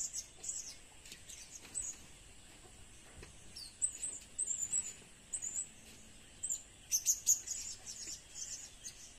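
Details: High shrill twittering from a blue-crowned hanging parrot, played as a lure: uneven strings of thin squeaky chirps, softer at first and denser toward the end, with background hiss.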